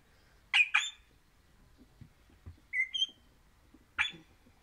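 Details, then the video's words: Crimson rosella of the orange colour variety singing: two loud harsh squawky notes, then a short rising whistled phrase and one more rasping burst, separated by quiet gaps. "Happy Parrot Crimson Rossela Pennant Orange Singing"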